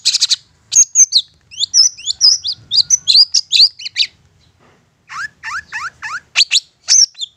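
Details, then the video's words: Long-tailed shrike with an insistent provoking song: a fast mix of high twittered and slurred whistles, a brief gap, then a series of rising upslurred notes repeated about every third of a second. "Apapun Cendet nya AKAN LANGSUNG MERESPON dan NYAUT lanjut GACOR dengan pancingan Cendet ngotot ini"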